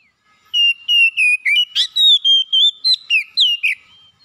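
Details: Oriental magpie-robin, or kacer, sings a quick run of about a dozen loud, pure whistles, several swooping downward, with one grating note partway through, over a quiet background.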